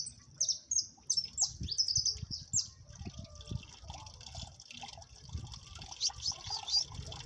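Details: Siskin, locally jilguero amarillo, in cold weather: an opening run of sharp, high, bright chirps, then softer scattered twitters, over low knocking and rustling.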